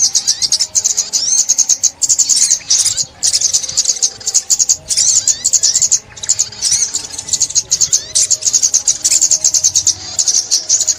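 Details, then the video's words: Long stretch of sunbird song used for trapping: continuous very high, rapid chipping and twittering in phrases of about a second, with brief breaks throughout. "Tiếng Chim Ốc Mít"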